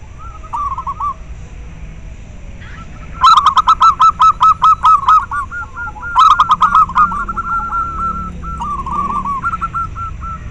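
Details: Zebra dove of local stock, played to stimulate captive doves and to lure them: low coos give way to loud rapid staccato bursts of about a dozen clipped notes, twice, then softer rolling cooing phrases.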